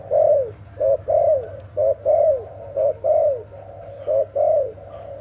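A dove gives soft, low hooting coos in a repeated pattern: a short note followed by a longer, drawn-out one, about once a second, over a faint low hum.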